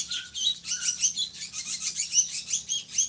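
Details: Drongo in full voice, used as a tutor bird for other songbirds; steady pulsing, high, harsh chatter repeated about every quarter second, with two low whistled notes at the start.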